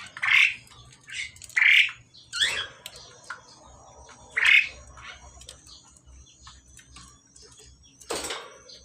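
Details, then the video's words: Pied myna male and female in the pairing process: several grating squawks in the first half, then quieter scratchy notes, and a final harsh burst. "jalak suren jantan dan betina dalam proses penjodohan"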